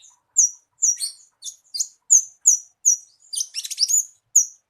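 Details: Javan bushlark song for prompting a captive bird to sing: high, thin chirps and sharp downslurred notes at an even pace, broken by a brief scratchy, jumbled burst near the end.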